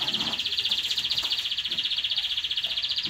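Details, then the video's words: Canary song intended to teach young birds and excite females to breed: a continuous, fast, evenly pulsed high trill, about three pulses per second in its louder beats, with a noisy background. "تغريد طائر كناري لتسميع الفراخ و تهييج على التزاوج"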